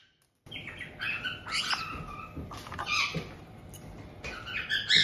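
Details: White-bellied caiques in a multi-bird home in Tokachi, Hokkaido, recorded 18 June 2023. A resident pair is greeting a young bird just over two months old. Varied chirps, rising and falling squeaks and chattering notes run almost continuously.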